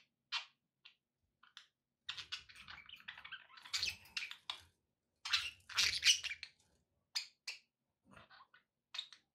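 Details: Budgerigars kept as pets: bursts of scratchy warbling chatter and sharp chirps, louder clusters around the middle separated by brief pauses, light low-pitched background noise.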